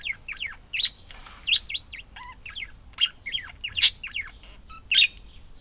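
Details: Budgerigars chattering in a continuous warble of quick rising and falling chirps, with a few louder sharp clicks and squeaks spaced about a second apart.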